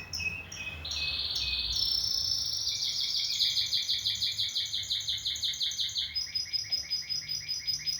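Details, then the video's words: Canary singing a continuous song: high sustained whistled tones shifting between pitch levels, then a long rapid rolling trill of evenly repeated pulses to the end. "O IMPORTANTE É QUE O CANÁRIO CANTE"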